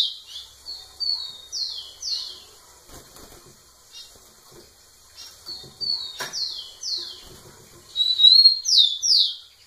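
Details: Rufous-collared sparrow singing close to a female: three bursts of bright, descending whistled slurs, each a short series of clear notes repeated rapidly, the last burst loudest, with faint rustling and thumps between phrases.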